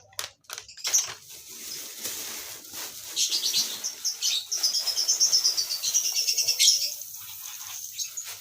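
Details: Lovebirds kept in a colony breeding system: dense, shrill, high chirps overlap in a busy chorus, building to rapid repeated notes in the middle and fading near the end.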